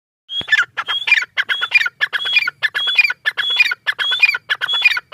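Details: Female grey francolin, known locally as teetar, giving a rapid, repeated call: a high whistled note, then harsh, buzzy chattering syllables, about eight phrases in five seconds, with a background that is otherwise quiet.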